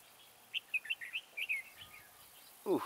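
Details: Decoy red-whiskered bulbul at a trap, singing to draw in other birds: a chain of bright, chirpy warbled notes, then a person's voice breaking in at the end.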